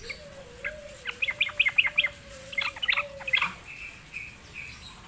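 A bulbul gives a quick run of bright, chattering notes, then a few scratchier phrases, over a steady low hum.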